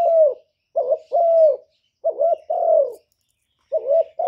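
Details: Cooing of a decoy spotted dove in gáy gù manner: close, mellow, low-pitched notes, a clipped coo followed by a longer sagging one, repeated steadily with brief silences, no other sounds.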